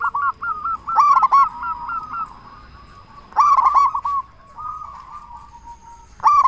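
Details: Zebra dove of local stock with a big voice, calling so that other zebra doves answer: emphatic stuttering coo bursts about every two and a half seconds, each trailing into a softer string of quick notes.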